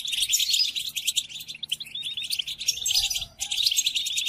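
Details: European goldfinch song played to caged goldfinches for learning during moult: quick sparkling twitters and liquid trills in bursts, pausing briefly around three and a half seconds.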